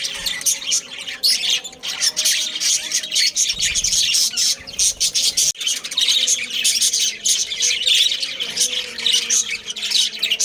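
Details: Colony of breeding budgerigars, Australian parrots: continuous layered chatter of high chirps and harsh squawks from many birds, with a brief low thump near the middle.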